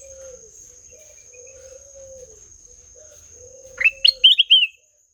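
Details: Ruby-throated bulbul with a melodious song: after a quiet stretch with a faint low hum, one brisk phrase of an upward swoop and rapid, sweet, tumbling notes, under a steady high whine.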